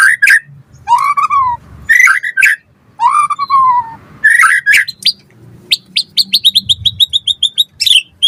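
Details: White-rumped shama singing actively, used as a training recording for other shamas: rich whistled phrases, some slurred downward, mixed with sharp notes, ending in a rapid series of repeated high chips.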